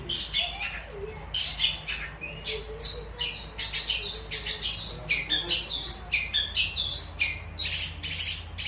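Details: Long-tailed shrike song: a rapid, varied run of sharp high chirps, squeaky whistles and scratchy notes, tumbling almost continuously, with a low steady hum beneath.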